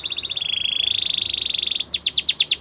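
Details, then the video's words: Canary song for training young canaries: a rapid, even, high rolling trill held for nearly two seconds, then a few loud, sweeping descending notes. "Canary Training Singing"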